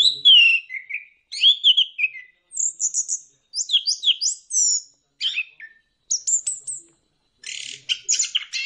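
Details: Orange-headed thrush, used as a lure to make birds sing: an energetic, varied song of fluty whistles, high squeaky slurs and rapid chattering bursts, delivered in short phrases with brief pauses.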